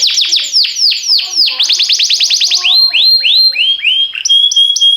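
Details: Canary song for training canaries, made of cascading downward-swept notes in quick succession, then slower rising and falling whistled slurs and a few thin held tones.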